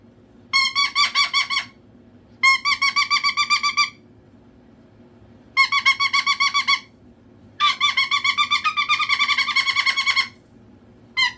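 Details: Pet cockatoo indoors, calling out to get attention: bursts of rapid, harsh, ringing squawks repeated in quick pulses, four main volleys of one to three seconds separated by short silences, with a final burst starting at the end.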